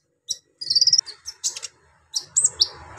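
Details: A brown-throated sunbird (kolibri ninja) delivers its harsh, lively song used to excite untrained birds: a fast trill of very high, thin notes, sharp squeaks, and a few brief scratchy bursts, with short gaps between phrases.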